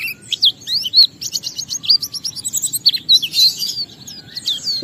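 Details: Oriental white-eye (pleci) in ngalas song used to draw other white-eyes into singing: a quick jumble of high thin whistles and slurred chirps, varied and almost continuous, rising and falling in pitch.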